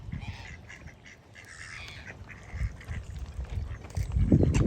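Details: Wild ducks on Lago Grande lake beside Porto Novo beach give a run of short, nasal quacks in quick succession over a heavy low wind rumble, with faint gull calls mixed in.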